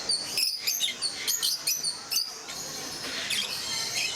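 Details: Peach-faced lovebirds in a group at Mysore Zoo: a burst of sharp, high, squeaky chirps packed into the first two seconds, then fainter scattered calls over a steady hiss of other birds.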